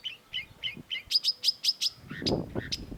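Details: A long-tailed shrike (Lanius schach) sings a varied phrase: four hooked, slurred whistles, then five sharp high ticks in quick succession, ending in harsher scratchy notes.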